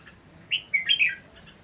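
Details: Caged red-whiskered bulbul singing loudly: a brief, clear phrase of three or four quick whistled, chirpy notes, the last ones run together and falling, in an otherwise quiet setting.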